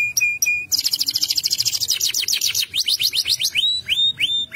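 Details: Canary singing: two clear steady whistles, then a dense rapid high trill easing into slower downslurred sweeps and finally repeated arched whistled notes about twice a second.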